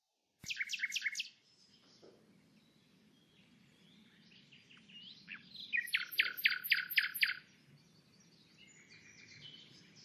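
Common Nightingale song: a burst of rapid, rattling repeated notes, a pause of soft twitters, then a loud fast series with piercing high notes, over a low hum.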